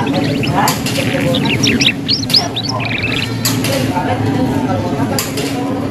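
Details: Young caged canaries learning to sing, chirping in the ngeriwik style, played to stimulate other young canaries to answer; bursts of sharp high chirps and short trills over steady low hum and room noise.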